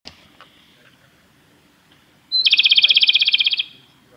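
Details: A male Japanese robin sings at Yanagisawa Pass on 25 April 2021: a short high note, then a loud, rapid rattling trill of about twenty notes lasting just over a second, preceded by a few faint chips.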